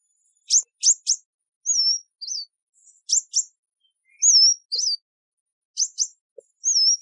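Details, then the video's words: Kingfisher calling: quick clusters of two or three sharp, very high chirps alternate with thin, wavering whistled notes, the pattern repeating about three times over seven seconds against a quiet, clean background. "Wild animals: Racoon, Kingfisher , Mongoose, Sea Turtle, Oryx - Animal sounds"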